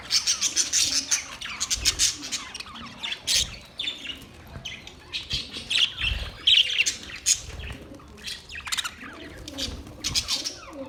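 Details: Budgies chirping and chattering almost nonstop, rapid high squeaky notes and short harsh squawks tumbling over one another in uneven bursts, with occasional soft low thumps underneath.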